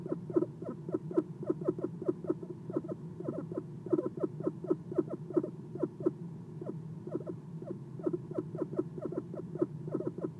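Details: Soft chirps from an Eastern screech owl perched at its nest box at night, captured by a nest camera: a continuous run of brief falling notes, evenly spaced several per second, with a steady low background hum.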